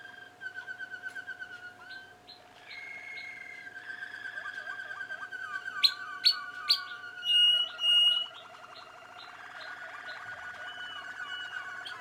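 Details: Young Malinois Waterslager canaries from 2016 singing: long rolling trills and bubbling water-like tours near mid pitch, stepping between sustained whistled tones. Several sharp, very high clicking notes burst out midway, and a steady low hum runs throughout.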